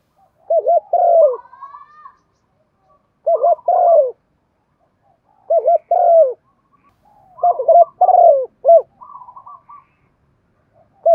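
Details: Spotted dove giving excited coos and calls to spur other doves to coo; four low two-part phrases, a wavering double note then a falling coo, some followed by softer higher fluttering notes, spaced about two seconds apart.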